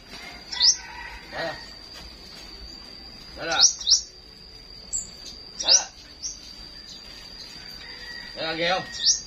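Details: Flowerpecker singing in the morning in Vietnam: thin, sharp upswept chirps in short clusters, repeated every two to three seconds, with a faint rustle between and a steady high electronic whine throughout.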